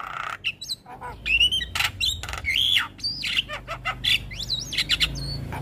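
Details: Black-winged starling song full of fill-in phrases, made to train young birds: a long jumble of loud whistled slurs, coarse squawks and rapid high chirps, tightly packed with few gaps.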